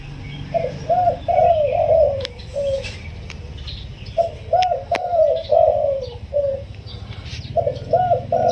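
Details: Spotted dove, a wild bird kept caged for 16 days, giving its soft, sweet crowing coo in the single-'kuk' style: three rolling cooing phrases, each ending in a short separate note, spaced about three seconds apart over a low background hum.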